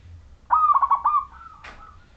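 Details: Majapahit zebra dove song meant to draw other zebra doves into singing: one phrase of rapid stuttering cooed notes on a steady pitch, trailing into a soft drawn-out coo with a brief noisy click.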